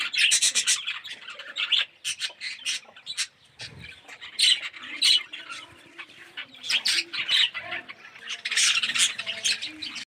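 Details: Budgerigar colony in an aviary, including red-eyed and yellow birds; bursts of scratchy squawking and chirping from many birds alternate with short quieter moments throughout.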